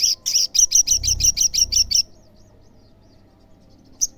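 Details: Olive-backed sunbird singing in full voice, played as a lure to make other sunbirds answer: a rapid run of about a dozen high, sharp chittering notes over two seconds, then quiet and one last high chip.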